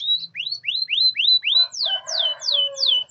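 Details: A canary sings a lure song for silent canaries: repeated rising whistled notes, then a run of falling slurs, over a faint low murmur in the background.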